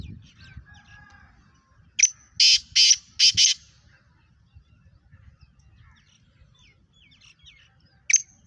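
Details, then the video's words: Black francolin (Kala Teetar) from Pakistan, a fast 'speeder' or 'chakri wala' caller. After faint whistles comes a sharp note, then three loud harsh rasping bursts in quick succession. Softer chirps and one more sharp note follow. "Speeder kala Teetar One Minute Eleven Voices Pakistani Fastest Kala Teetar Chakri Wala Teetar"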